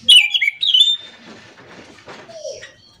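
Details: Orange-headed thrush singing in the morning, a lively rolling song: bright, slurred whistles and quick chirps in a burst of about one second, then fading into quieter rustling and a last short descending note.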